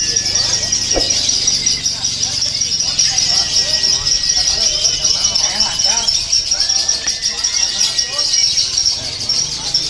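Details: Lovebird singing at an anniversary bird event; a long, sustained high trilling run held almost without a break, with people talking nearby and a busy background murmur.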